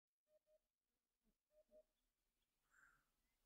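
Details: Eurasian hoopoe giving its display song, also described as scolding and foraging, a typical voice of southern regions; two pairs of soft, low, hollow hooting notes, faint and well separated, then a brief higher note near the end.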